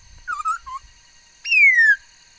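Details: Laughingthrush, recorded 13 August 2021, known for many kinds of sounds: a quick cluster of wavering whistles and a lower note, followed by a single strong, drawn-out descending whistle; faint low rumble at the start.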